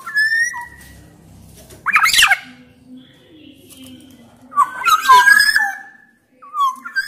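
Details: Sumbawa black-naped oriole, also with male and female Javan orioles in the recording, used to get orioles singing; short fluty whistles between two loud harsh, squawking bursts.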